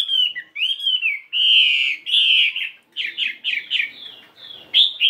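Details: A 72-gram fighting Chinese hwamei during morning voice practice, singing in a changing-voice style. Loud, slurred whistles sweep up and down, followed by a quick run of short falling notes and a bright closing phrase.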